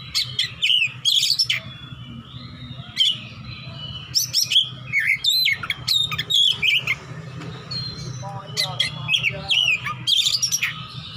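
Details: Oriental magpie-robin kept as a fighter, singing ngeplong-style while looking for an opponent: bursts of rich, varied whistles with rapid upslurs and downslurs, repeated every second or so, with a constant low electrical hum behind.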